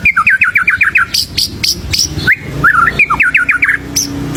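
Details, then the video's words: White-rumped shama singing energetically with varied, full song, used as a lure for birds at home: rapid runs of rising whistled notes, sharp high accents and a brief gap, over a steady low rumbling background. "GACORRR MURAI BATU FULL ISIAN UNTUK PANCINGAN BURUNG DIRUMAH || SUARA MURAI BATU GACOR"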